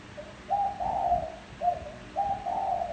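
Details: Two mellow spotted dove coo phrases, each a short note leading into a drawn-out warbling coo, used to entice wild doves, with a soft hiss underneath.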